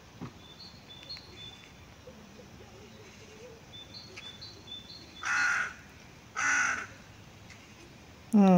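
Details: Hooded crow calling back and forth with fellow crows: two loud, harsh caws about a second apart in the second half, after a quieter stretch of faint high chirps from other birds and a sharp noise at the end.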